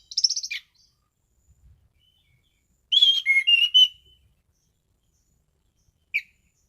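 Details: Orange-headed thrush in song: a high buzzy trill opens, then after a pause a one-second run of clear whistled notes stepping up and down, and finally a single short slurred note near the end.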